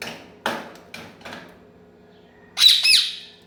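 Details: Angry pet Indian ringneck parakeet: a few soft scuffing thumps, then a loud, shrill, harsh two-part screech near the end, rising sharply and breaking off quickly.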